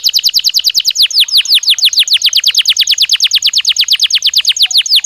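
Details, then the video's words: Belgian canary singing naturally, a continuous rapid series of downward-sweeping whistled notes, very regular and loud, about seven per second. "Som de 1 Hora com Canario Belga Cantando Naturalmente"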